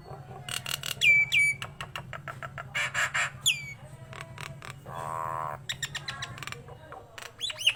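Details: Nias hill myna singing actively. Crisp clicks and a high whistled note give way to harsh buzzy squawks and a grating rasp, with a low steady hum underneath.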